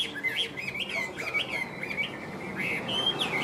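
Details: Caged, tame Chinese hwamei for sale, giving softer, wavering whistled phrases, short rising and falling slurs spaced through a brief stretch of song.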